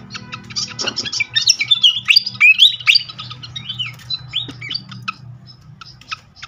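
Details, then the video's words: Srikatan flycatcher song played as a lure to draw out singing: a lively jumble of fast chips and looping whistled slurs over a faint low hum. "langsung Nyaut seketika pancingan khas burung srikatan kipas"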